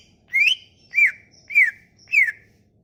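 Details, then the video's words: Sumatran leafbird song used as a lure to get silent leafbirds singing: four loud whistled slurs, each rising then dropping near the middle of the range, spaced about half a second apart with faint overtones above. "Kicauan ini MAMPU memikat cucak ijo MACET bunyi"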